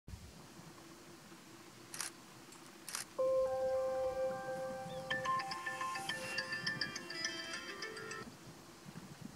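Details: Two sharp clicks, then steady layered musical tones with chime-like notes entering and building, with no animal calls.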